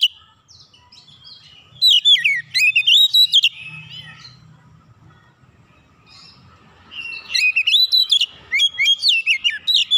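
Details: Oriental magpie-robin in heated, full song with open beak: two bursts of rapid whistled notes, steeply rising and falling, with a softer warbling stretch between them and faint low rumble.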